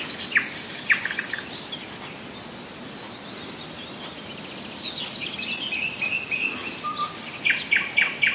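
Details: Common nightingale singing at Rassudovo, some 40 km from Moscow, in July 2011: two sharp notes, a quiet gap, then a building chatter ending in fast repeated bright notes.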